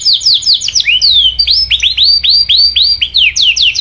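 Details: Canary 'cuit cuit' calling song meant to challenge and stir other canaries to sing. Rapid, high, repeated upward-curving chirps and whistles follow each other almost without pause, loud and clean.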